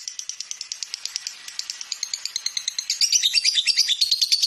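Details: Master-song lovebird recording from Indonesia's bird-keeping hobby: steady ticking chirps that turn into louder, sweeter, more whistled, warbling notes in the final second and a half.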